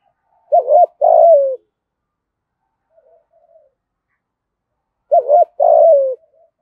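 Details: Spotted dove in the 'thổ' voice style cooing to lure wild doves: two matching phrases about four seconds apart, each a quick double coo followed by a long coo that sinks in pitch, with quiet between.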